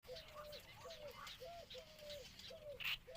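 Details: Intermediate egret at the nest while feeding its chicks: a run of short, arched, nasal notes repeated about every half second, with a brief sharper high note near the end and faint background hiss.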